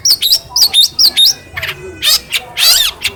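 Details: Long-tailed shrike from Cilacap, hand-fed and trained with phone audio to copy other birds, giving a few quick twisting whistled notes followed by harsh, scratchy bursts.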